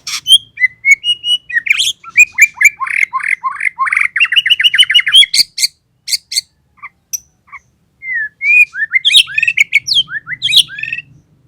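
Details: A large-bodied white-rumped shama, being bathed, sings a loud, varied run of sharp whistles, chirps and rapid rising notes; large-bodied birds are described as having louder, more ringing voices.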